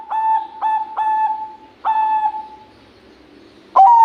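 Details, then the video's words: Zebra dove of the Bangkok type, described as an energetic champion singer, giving a series of short, low, clipped coos in quick succession, then a pause and a final loud, sharp coo. "Perkutut Bangkok Gacor Juara perkutut apapun pasti ikut bunyi"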